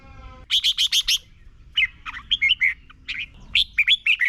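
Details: Song of a Red-whiskered bulbul from Thailand, used as a tutor recording: five fast sharp notes in a row, then two lively strings of slurred, rising and falling whistles.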